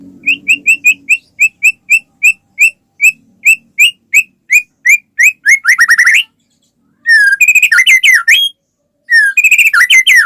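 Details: White-rumped shama song meant to trigger other shamas, opening with a steady string of short repeated chip-like whistles that speed up into a chattering flourish, then two bursts of rich warbled, rolling phrases after brief silences.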